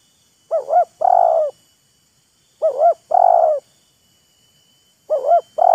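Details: Spotted dove calls during an exchange between a wild bird and a decoy bird showing off their voices to each other, taunting and luring. Each loud phrase has two short wavering coos and then one longer, steady coo. Three phrases, repeated about every two and a half seconds, with silence between.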